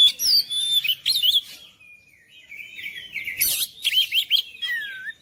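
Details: Oriental magpie-robin singing to spur quiet, reluctant birds of its kind into full song: quick chattering bursts, a thin sustained whistle, then rapid twisting warbled notes ending in a falling whistle.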